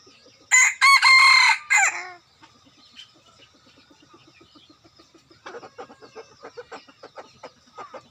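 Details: Decoy rooster used to lure others: one loud, harsh, harmonic crow of about one and a half seconds, rising then held and dropping at the end, followed by quieter clucking, rustling and faint background calls.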